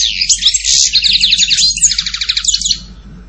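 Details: European goldfinch song: a quick tumbling stream of bright twittering notes with a rattling trilled middle section, fading out after about three seconds.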